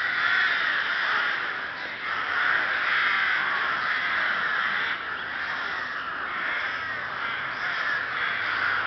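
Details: Rook colony in Chrudim, Czech Republic (Ptačí ostrovy nature monument, Pardubice Region), 30 May 2011: many birds cawing at once, a continuous raspy racket of grating caws rising and falling in loudness throughout.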